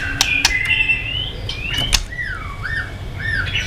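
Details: White-rumped shama fighting song, fainter and set against a noisy background with knocks: rising and dipping whistled slurs.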